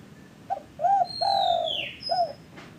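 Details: A single Spotted dove phrase played to coax caged doves that are slow to call: short note, arched coo, long level coo, closing coo, while another bird gives a high descending whistle overhead.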